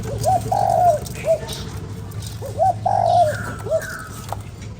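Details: Spotted dove giving its rhythmic coo to stimulate a lure bird: two clear phrases, each a rising short note, a long hoarse coo and a final short note, over low hum and faint distant chirps.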